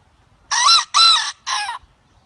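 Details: Chicken, one of a series from different countries, giving three rough, harsh bursts in quick succession, the last one slightly softer.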